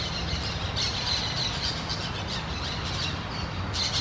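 Orange-chinned parakeets giving shrill, high squeaks and squawks in quick, scattered bursts over a steady hiss and low rumble.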